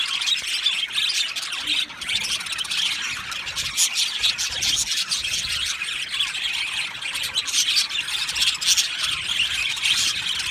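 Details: Crowded aviary of male budgerigars on 8 December 2025, with an even, unbroken chorus of shrill chirps, squeaks and scratchy warbles from many birds at once.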